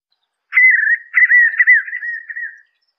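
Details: White-eared puffbird singing: one sustained, mellow whistle lasting about two seconds that wavers and quavers steadily at a middle pitch, with short breaks between its wobbling phrases, against a silent background.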